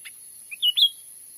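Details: Grey-bellied bulbul lure call recorded in forest in Sumatra: one soft note, then a quick rising pair of clear, slightly slurred whistles, over a thin high hiss.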